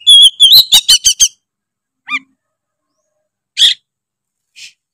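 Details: Oriental magpie-robin in full song, meant to rile other magpie-robins: a burst of loud whistled notes and sharp chirps, then scattered single calls separated by silence.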